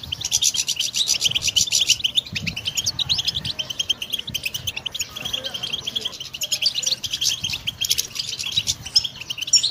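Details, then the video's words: Goldfinch singing, recorded for training other songbirds: an unbroken, rapid twitter of high tinkling notes and rolling trills throughout, busy and chattering, with a soft low hum underneath. "Song Goldfinch Training"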